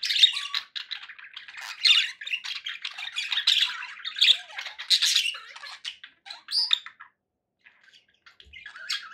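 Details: Budgerigars squawking and warbling in scratchy bursts, a few short whistles and a rising note, the chatter thinning to near silence after seven seconds before a last call.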